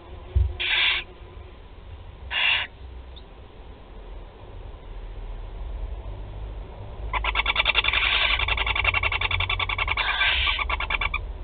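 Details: Four barn owl chicks at a nest on 16 July 2020 in Théding, France, give two short harsh hisses, then a long burst of rapid, rasping twittering calls rising into a wheezy chatter as food arrives.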